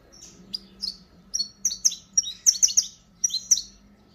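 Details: Saffron finch in the fast 'disparador' song style: a quick burst of high, sharp chips and short whistled notes that speed up into a dense cluster, then end in a final pair, over a faint low hum.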